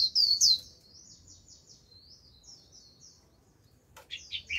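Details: Japanese white-eye singing líu as a lure for a wild flock: a loud high twitter, a long soft run of fast, descending notes, then a sharp click and renewed loud twittering.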